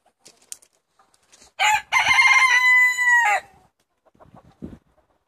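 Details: Rooster among a flock of 70 chickens being let out for the day in Longford, Ireland, on 25 February 2016, gives a loud crow: a rough opening, then a long steady harmonic note ending abruptly, with faint clucks and rustling around it.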